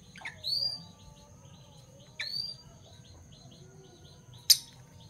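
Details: Fischer's lovebirds, a parblue violet and a parblue turquoise, in the morning: two shrill upward-sweeping chirps about two seconds apart, then a single sharp click near the end over a quiet background.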